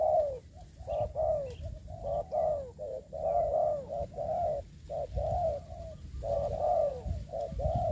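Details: Ground decoy spotted dove used for trapping, cooing steadily in a long series of short and drawn-out mellow notes, roughly one per second, over low rural background noise.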